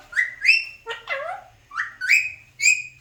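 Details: A talking Alexandrine parakeet gives a series of short whistled, upward-sliding notes with one lower swooping phrase. The notes come in quick pairs with brief gaps.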